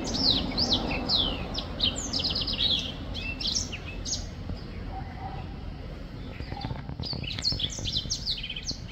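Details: Black-throated finch singing in two bursts of high chirping twitters, one at the start and one near the end, separated by a quieter stretch with faint rustling and a soft low note.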